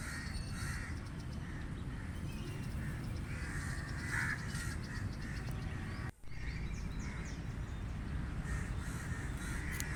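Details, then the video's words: Crows calling at a distance, many soft hoarse caws scattered through a constant low rumble of background noise, with faint high chirps from other birds and a brief dropout partway through. "Crow Sound Effect | Crow Bird Sound"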